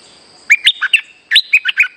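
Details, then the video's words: Streak-eared bulbul lure call used for trapping, singing actively: two bursts of short bright chirpy notes, five then five, rising and falling, with a faint steady high hum behind. "Suara pikat merbah lekir gacor"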